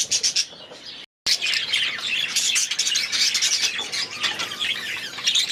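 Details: Young budgerigars newly released into an aviary chatter loudly and continuously, with scratchy warbles and squeaky chirps layered together, after a short silent break near the start.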